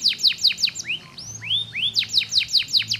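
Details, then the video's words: Singing canary, used to coax other canaries to sing: rapid rolls of sharply falling notes, then a few slow rising whistled sweeps, then another quick trill, with a faint low background hum. "PANCING BUNYI KENARI MALAS"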